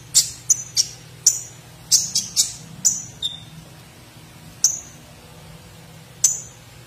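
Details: Gacor olive-backed sunbird, song filled with platuk sampit phrases, for tutoring songbirds: clusters of sharp high chirps, one thin tone sliding lower, then isolated piercing notes roughly every one and a half seconds over low hum.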